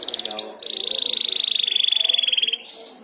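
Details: Young canary learning to sing, prompted by another canary's song: a short rapid trill, then a long, fast, buzzy trill held steady and slowly falling, ending in a brief note.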